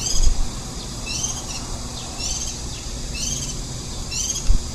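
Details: Warbling white-eye feeding nestlings on 23 July 2018, one day before fledging, recorded from a ladder four metres up. Five thin high chirps about one second apart, each with stacked harmonics, above a low background hum.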